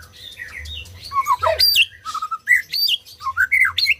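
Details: Song of a white-rumped shama, meant to stimulate silent birds to sing: rapid varied whistles, sweeping notes and harsh scratchy bursts in a continuous flowing sequence.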